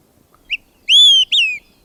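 Olive-sided Flycatcher giving its three-part whistled song: a short, soft opening note, then a loud, high, ringing whistle and a slurred, falling final note, like 'quick three beers.'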